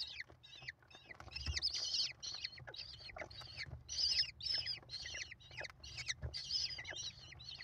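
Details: American kestrel nestlings, five of them, clamouring while the mother feeds them, 28 May 2021, live nest camera; continuous chorus of high rasping squeals rising and falling in bursts, light bumps beneath.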